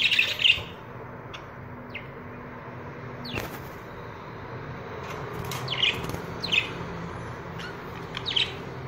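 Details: Budgerigars give scattered, bright, squeaky chirps, short downward slides and clicks spaced irregularly over nine seconds, with a soft flutter near the middle and a faint low hum in the background.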